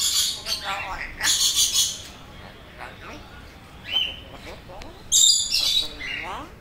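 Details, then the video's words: African grey parrot kept as a pet, mimicking known words: loud high-pitched squawks and bursts mixed with rising whistled notes and short speech-like fragments, with quiet gaps between. "African grey parrot cuty repeating the know words"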